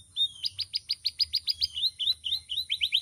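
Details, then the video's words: Vigorously singing canary with a loud, varied, melodious voice, delivering a steady run of bright high notes, each a quick downward-curving chirp repeated about five times a second, speeding into a tighter burst at the end. "Suara Burung Kenari Gacoorr"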